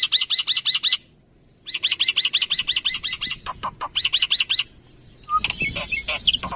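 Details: Black-winged myna (Sturnus melanopterus, endemic to Indonesia) in full mimicking song used as a master recording: fast runs of bright, harsh, ringing notes, about three per second, broken by brief pauses and sharper chattering and whistled calls.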